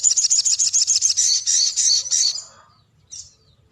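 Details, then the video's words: Sooty-headed bulbul delivering a long roll: a fast, evenly pulsed, high chattering trill lasting over two seconds, then tailing off, followed by one short high note after a pause. "SOGON NGEROL PANJANG"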